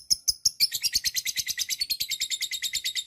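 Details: Lovebird's drawn-out 'ngekek' chatter, a recording meant to stimulate other lovebirds to sing: a few sharp chips, then a fast, shrill, buzzy rattle of repeated notes.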